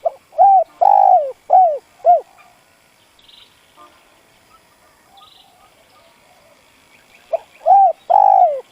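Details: Decoy spotted dove cooing to provoke wild doves into calling. Deep, hollow coos come in a run of four notes, the second longest, then a long quiet pause before the phrase starts again. Faint chirps sound in the background.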